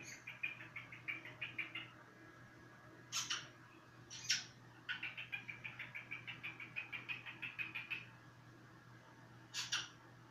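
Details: Whistling cockatiel gives rapid trains of short, high chirps, about three per second, broken by a few harsh, noisy bursts; a faint low hum runs throughout.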